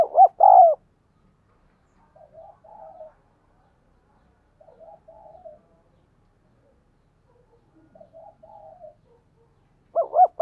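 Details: Thúc gù coo of a spotted dove for decoy training and luring wild doves. A loud hooting phrase starts and ends the stretch, and three soft bouts of low burbling coos come between.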